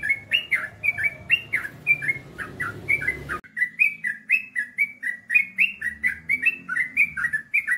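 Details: A yellow-vented bulbul gives a fast, unbroken run of bubbly, chirping notes, about three per second, mid-pitched and slightly rising, over a faint low hum.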